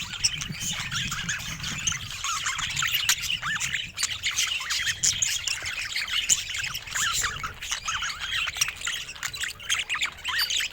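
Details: Budgerigars, pet birds, chattering as a group: dense overlapping warbles, chirps and squawks, continuous throughout with many birds calling at once.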